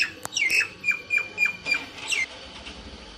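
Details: Indian myna giving harsh, squawking notes, each a short rasp followed by a brief squeaky whistle, repeated roughly every quarter to half second against steady background noise.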